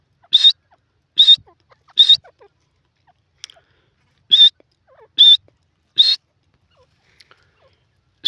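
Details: Sindhi francolin (teetar) giving loud, clear, slightly rising whistled notes. They come in a group of three close together, then after a pause in a series of three or four, about one every 0.8 seconds, against silence.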